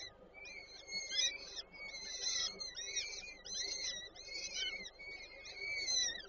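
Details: Chicks of peregrine falcons at a nest, Warsaw Żerań, 8 May 2023, as the female feeds them: six bursts of harsh, overlapping squealing cries roughly once a second over faint background hiss.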